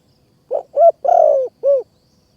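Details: Spotted dove singing in Kanchanaburi's high forest, Thailand, where a decoy is used to trap wild doves; one close four-part cooing phrase: a soft opening note, a rising coo, a long vibrating burr, then a clear final coo.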